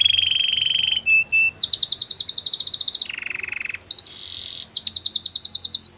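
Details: Canary performing Belgian canary song: a sustained trill and a few short notes give way to a fast, high, rattling tour, a lower buzzy roll, then more bright rapid trills.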